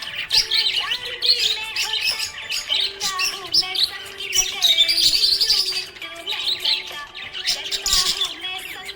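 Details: Happy budgerigar chirping nonstop: a busy, scratchy warble of quick high chirps and trills, rising and falling without pause, with a soft steady melodic tone running underneath.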